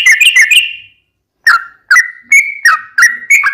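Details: Bulbul lure song, Sooty-headed bulbul: a short quick trill fading out, silence, then spaced whistled notes, some level, some dipping, about three a second.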